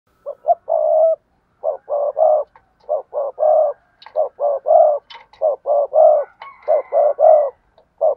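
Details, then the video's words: Spotted dove giving the prompting coo and calling coo favoured by bird keepers: low, mellow coo phrases, each with two short notes then a longer drawn-out coo. The phrases repeat steadily, almost without pause, with a faint higher chirp near the end. "cu gáy thúc gù và gáy gọi cực đỉnh"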